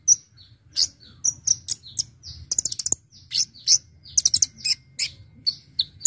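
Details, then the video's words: Brown-throated sunbird in energetic 'gacor full isian' song used to lure birds: steady stream of high thin whistles and chips, broken by short rapid trills, over a faint low hum. "Suara Burung Kolibri Ninja Konin Gacor Ngobra Full Isian untuk pikat"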